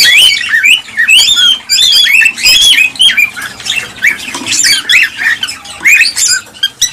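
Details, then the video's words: Lively cockatiels calling to encourage mating and breeding: sharp, squeaky upsweeping whistles and raspy squawks tumbling over each other, loud with a few short lulls. "حفز طيور الكالوبسيت(الكوكتيل) على التزاوج والإنتاج بهذا الصوت القوي"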